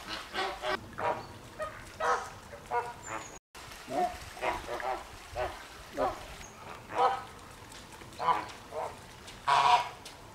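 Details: A noisy group of flamingos at Llanelli Wetland Centre, Wales, in August 2021, honking in short nasal bursts roughly every second, with a brief gap of silence near the start.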